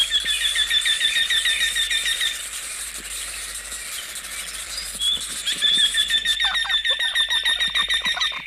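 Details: Eurasian wryneck calling a long series of nasal, evenly repeated notes, about three a second, pausing briefly midway and then resuming; a faint high chirping and soft background hiss run throughout.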